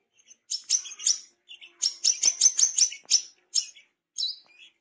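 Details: Wild-caught tame brown-throated sunbird in wiceh voice: quick high chirps speeding into an even, rapid run of about ten ringing notes, ending with a softer slurred twitter.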